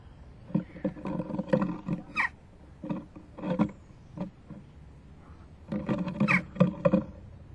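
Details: Western jackdaw fledgling begging from its parents for food at a nest box on 12 June 2015, about 11:19, as it leaves the nest. Bursts of hollow knocking and scraping, with short harsh rising calls standing out twice.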